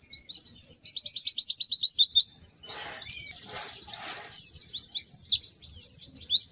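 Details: Melodious white-eye song of fast, high twittering trills. A few loud rustling bursts briefly break in partway through, then the quick chirping phrases resume.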